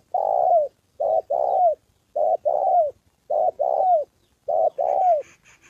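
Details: A decoy spotted dove in training near Gia Lai, Vietnam, on the 2 September holiday, meeting a wild bird and a female. It coos loudly in doubled phrases, the second note falling at its end. Faint high chirping comes at the close.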